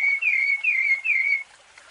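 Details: Rufous-bellied thrush in fluted song for training young birds: three clear whistled phrases, each rising briefly then falling and held, before quiet.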